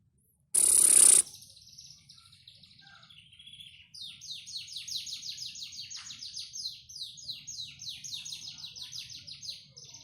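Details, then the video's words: Panda canary singing: after a brief loud burst of noise, a thin high trill starts, then a long run of rapid falling notes repeated about three times per second, steady and bright. "Suara Burung Kenari Panda"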